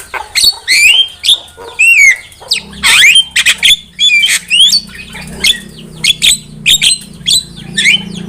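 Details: Javan myna song meant as a trapping lure, a busy run of sharp clicks, squawks and downslurred whistles at about fifty-five notes a minute, with a steady low hum behind.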